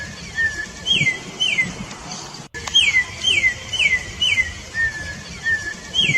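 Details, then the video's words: Corrupião, or orange-backed troupial, singing its wild song meant to warm up caged birds and teach chicks: crisp descending whistles repeated about twice a second, with a few lower flat notes and a sudden cut midway. "CANTO SELVAGEM DE CORRUPIÃO"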